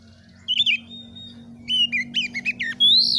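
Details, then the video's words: Oriental magpie-robin singing to challenge other birds and build fighting spirit: a short warbled phrase, a thin held whistle, then rapid descending slurs ending in a loud rising whistle, over a steady low hum. "MASTERAN KACER GACOR || Kacer gacor tes mental burung lain agar fighter"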